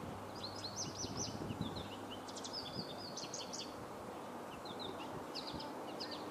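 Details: An American goldfinch gives bursts of quick, high, twittering calls, several clusters over a few seconds, over a steady low background rumble.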